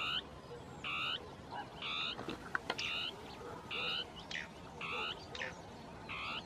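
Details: Dusky tapaculo territorial song from shrubs, possibly two birds interacting: a steady series of short, harsh, churring double notes, about one each second, with faint background hiss.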